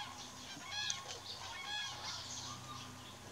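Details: Common cranes in mist near Mariëndrebber in the Diepholzer Moor Niederung, Germany; faint trumpeting calls sound repeatedly through steady background hiss, rising and falling in short bursts.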